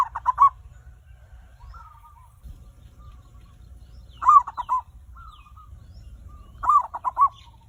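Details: Lure song of a zebra dove, meant to set other birds singing: three short bursts of fast, bubbling coos spread over eight seconds, separated by faint drawn-out whistles and low background rumble.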